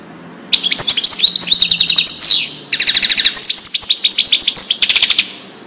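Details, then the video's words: European goldfinch song in the Wedani style, played for teaching young birds and hybrids; bright fast twittering phrases of sharp repeated notes with buzzy trills, in two bursts separated by a short pause, no other sounds. "تغريد الحسون لتسميع الفراخ"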